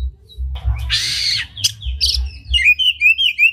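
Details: Oriental magpie-robin performing a varied, unique song while fanning its tail, used to stir other magpie-robins into singing; harsh noisy bursts give way to clear whistled notes and rapid rising chirps repeated near the end, with low background hum.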